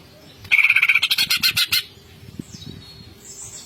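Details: Greater green leafbird in full ngentrok song: one burst of fast, stuttering ticks lasting just over a second, starting with a steady whistled note, then quiet with faint high sweeping whistles.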